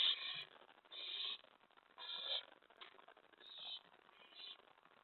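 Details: Late-night owl begging at the nest, May 15, 2017, with prey brought in: raspy hissing bursts at irregular intervals, fading softer toward the end, amid soft scratching.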